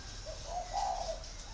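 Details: A single full cooing phrase from a big caged male spotted dove, six years in the cage, northern type, red-eyed, giọng thổ voice: soft lead-in notes swelling into a longer rounded coo.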